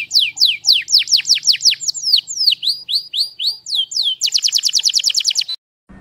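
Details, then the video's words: Canary singing strongly: a steady series of high falling slurred notes gives way to a rapid even trill, which stops abruptly before a faint low noise. "chim hoàng yến hót mạnh mẽ"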